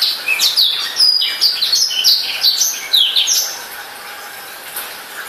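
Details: Captive black-throated canary, recently bought, pouring out a lively high-pitched warble of quick slurred whistles for about three seconds before fading to quiet.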